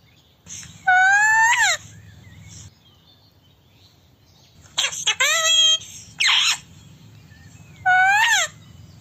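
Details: Indian ringneck parakeet giving its natural calling sounds, the 'kiss kiss' call. It makes loud, harsh screeches with bending pitch, one burst, then a cluster of three, then another, with quiet hum between.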